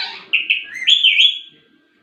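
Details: A ringneck parrot talking: a short buzzy, warbled phrase of a few joined syllables lasting about one second, slightly rising, then fading into quiet.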